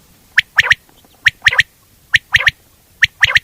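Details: Common quail calling a crisp three-part phrase: one sharp note followed by a quick doubled pair, repeated steadily almost every second, four phrases in a quiet setting.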